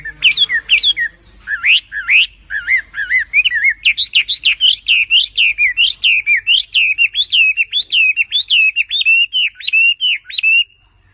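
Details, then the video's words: Energetic song of a tame wambi bird: a long, steady stream of warbled, up-and-down whistled notes, growing slightly faster and evenly paced toward the end. "BURUNG WAMBI GACOR JINAK TOTAL"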